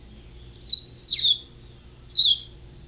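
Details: Captive-bred young double-collared seedeater singing three high, sweet slurred whistles with short pauses between them.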